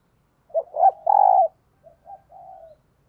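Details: A spotted dove decoy coos in the morning to bring in wild doves: two short coos and a long loud coo, followed by softer, fading coos.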